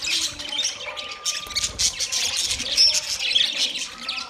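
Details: Budgerigars sharing soft food, 3 October 2023: continuous high warbling chatter with overlapping squawky chirps, steady throughout and without pauses.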